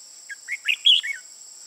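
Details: Red-whiskered bulbul, a mature decoy bird with red eye-rims on both sides used in trapping, recorded 15 June 2018; a rising run of five warbled notes peaking in a ringing whistle, then a dropping tail note, with insects droning behind.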